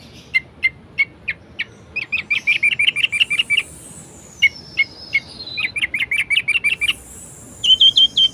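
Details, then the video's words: Varied orange-headed thrush song used to rouse reluctant birds: quick chirps repeated in rapid bursts, a long descending thin whistle overhead, then a closing trill of high notes. "Anis Merah Gacor Variasi Bangkitkan Emosi Anis Malas Bunyi Agar Rajin Berkicau"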